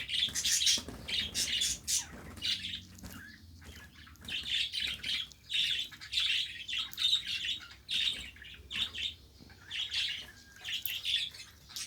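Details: Pet budgerigars kept at home warbling almost nonstop, a busy stream of scratchy chirps, clicks and harsh trilled notes rising and falling in loudness, with a low indoor hum.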